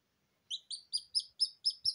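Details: Just-hatched Silkie Serama chicks crying in the absence of a mother hen, brought out of the incubator: seven clear, high, descending peeps spaced about a quarter second apart after a brief silence.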